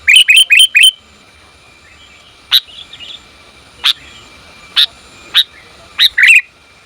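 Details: Female sooty-headed bulbul calling for the male, recorded for luring; opens with four fast ringing chirps, then sparse sharp single notes and a final doubled chirp.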